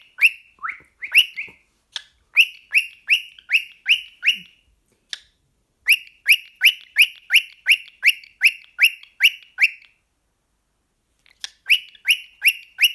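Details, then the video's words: Male cockatiel kept as a pet, worked up by a sock, gives runs of rising raspy whistled chirps, roughly three per second, in bursts separated by short pauses and one longer silence. "My cockatiel is talking to a sock again"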